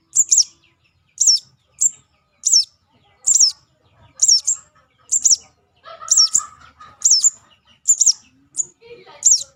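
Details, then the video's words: Crimson Sunbird (sogon) chick lure call: a steady run of high, twisting double chirps, about one per second, with faint lower rustling in the background midway. "Suara pikat anakan sogon."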